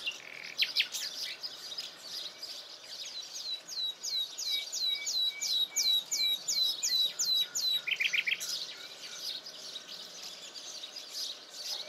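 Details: Common nightingale stepping out of dense thicket, a hidden singer known for trilling even at night. A series of about a dozen rapid, evenly spaced high whistled notes, then a lower buzzy burst and scattered chirps.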